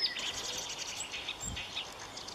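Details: Marsh warbler singing: a brief, dense run of high, scratchy chirps and short trills, rapid and varied, over a faint low rumble.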